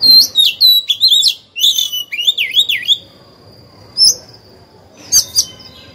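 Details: Oriental magpie-robin kept as a lure bird, singing to prompt rivals; rapid whistled and wavering notes in the first three seconds, then a thin sustained tone and two short bright calls.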